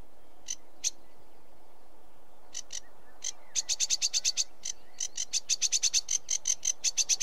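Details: Sedge warbler song beginning with a few isolated harsh notes after quiet gaps, then speeding into a sustained run of rasping, rapidly repeated chatter.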